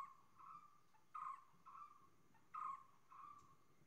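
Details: Common hawk-cuckoo calling: clear, mid-pitched whistled notes given in pairs, each pair repeated roughly every one and a half seconds, over a faint steady background hiss.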